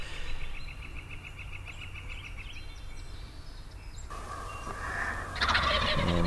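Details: Wild turkey tom in full display near two hens, foggy, dead-calm early morning just after sunrise, 28 April 2020, Sax-Zim Bog, northeastern Minnesota: a rapid, gurgling gobble near the end after quick, evenly repeated higher notes, over a steady low rumble.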